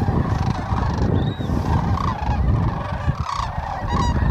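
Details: Many sandhill cranes calling together at Whitewater Draw in McNeal, Arizona, January 19, 2023, with rolling bugled notes layered into a constant chorus and a heavy low-frequency rumble underneath.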